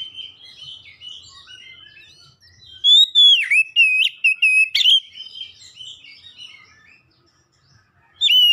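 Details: Oriental magpie-robin, kept at home, singing to set other magpie-robins singing: loud whistled phrases with sliding notes and sharp upslurs from about three seconds on, over faint background chirping, then a fresh whistled burst at the end.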